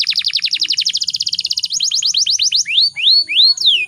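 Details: Female canary in breeding condition, used as a lure to provoke males into singing: a fast, steady run of downward-swept chirps, then a few separate rising-and-falling whistled notes.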